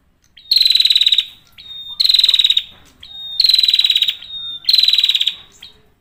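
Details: Male prinia singing persistently: four loud buzzy, high-pitched bursts, each about three-quarters of a second long and slightly falling, repeated roughly every second and a half, with quiet gaps between.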